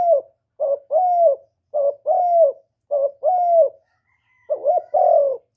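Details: Calling spotted dove, recorded cleanly to excite kept doves into cooing; four two-part phrases, each a brief low note followed by a drawn-out, gently downslurred coo, about one second apart, no other sounds.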